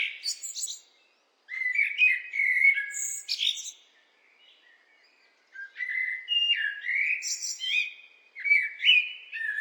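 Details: Blackbird delivering leisurely warbled phrases: low, fluty notes broken by thin high squeaks, one phrase after a short pause and another following, with no background noise.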